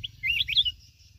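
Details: Wild-caught red-whiskered bulbul (chào mào núi) from mountains of Bình Thuận, Vietnam, not yet in full form, gives one brief warbled phrase of slurred whistled notes rising and falling, lasting under a second, over a low rumble.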